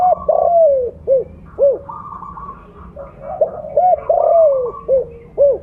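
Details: Mottled 'blorok' spotted dove, loud and persistent, calling as a lure: a long descending coo, several short hooked coos, then a second sliding phrase. Other doves coo continuously in the background.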